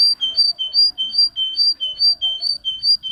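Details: A pet singer canary sings a bright, high phrase of two alternating notes, one higher and one lower, repeated about twice a second in a steady run.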